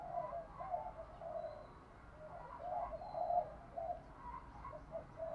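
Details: Decoy spotted dove calling wild doves in the Thổ voice style: low mellow coos in a rolling sequence, muffled and partly masked by constant hiss.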